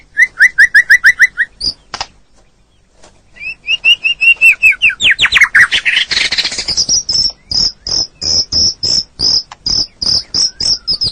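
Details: Training song of a white-rumped shama, meant to restart a stressed bird that no longer sings: fast repeated whistled notes, a brief pause, rising phrases, a harsh rattle, then a steady series of high, sharp notes.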